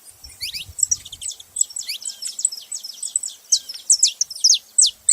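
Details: Saffron finches making noise: a busy chorus of high, sharp downslurred chirps, roughly two to three per second, overlapping and uneven, with faint low thumps at the start.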